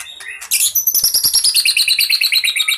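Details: White-rumped shama singing in fighting mode, a fill-in-rich song used to lure birds: a few short chirps, then a fast, very high, shimmering trill repeated steadily to the end.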